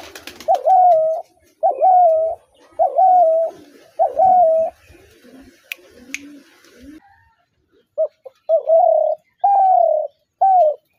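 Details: Spotted dove cooing: a series of loud, mid-pitched coos, each about half a second, with a short hooked start, repeated roughly once a second in two bursts separated by a quieter stretch of softer, lower cooing.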